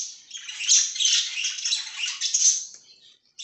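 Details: Pet budgerigars chirping indoors, a continuous dense chatter of scratchy, buzzy notes for about three seconds, trailing off briefly before a new burst begins.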